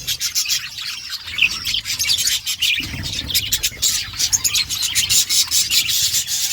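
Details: Outdoor aviary budgerigars chattering: quick bursts of high, scratchy chirps and warbled notes from several birds, steady and overlapping throughout.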